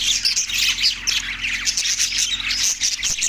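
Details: Short burst of budgerigar flock noise from Larkana, Sindh, recorded March 14, 2024: loud, bright overlapping chirps, whistles and scratchy notes crowding together.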